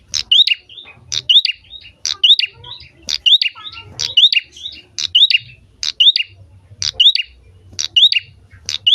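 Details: A prinia in full song, meant to encourage other birds to sing, repeats a high sharp note and upward-sweeping whistle roughly once per second, each phrase ending in a brief buzzy flourish; light low noise behind.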